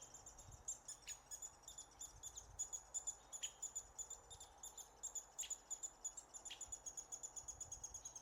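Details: Near Willow, Alaska, in June 2016, American three-toed woodpecker nestlings call while being fed, captured on a Sony A7R II: a quick, uneven stream of tiny piercing high notes, nearly three per second, with occasional loud clicks.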